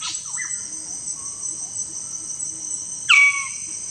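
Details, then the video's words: Magnificent bird-of-paradise at the lek arena: a single loud, abrupt note falling steeply in pitch near the end, after a few faint short whistles. A dense, high, continuous insect chorus fills the background. "Magnificent bird of paradise: At lek arena"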